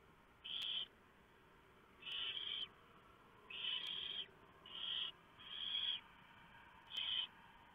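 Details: Barn owls at a nest at night as the female shreds a mouse for the owlets: six harsh hissing screeches of varying length, irregularly spaced, over low background noise.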